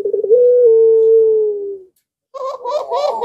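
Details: Barbary dove of pelung style, in breeding mood, provoking neighbouring doves to coo. One long, smooth, low coo falls slightly at its end, followed by a rougher, higher, warbling burst of sound.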